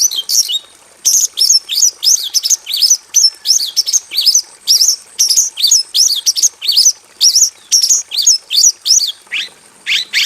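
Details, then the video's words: Javan bush lark in a small aviary, in rich, continuous song: a steady stream of crisp, high, downslurred whistled notes, about two each second for ten seconds, ending with lower, buzzier slurs. "KICAU SUARA BURUNG BRANJANGAN JAVANICA GACOR FULL ISIAN"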